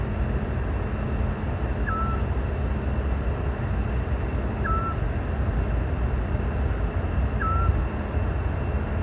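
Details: Eurasian scops owl (Otus scops) singing at dusk in May, Parque Lineal del Manzanares, Spain: three short, soft, slightly falling whistled notes, nearly three seconds apart, over distant traffic rumble.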